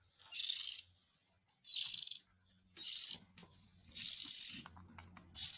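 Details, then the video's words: Oriental magpie-robin chick sound used as a lure for adults: five rasping, wheezy bursts repeated about every second and a quarter, the fourth longer, with a faint low hum near the end. "Suara Pikat indukan burung kacer ,suara anak nya 100 % Ampuh"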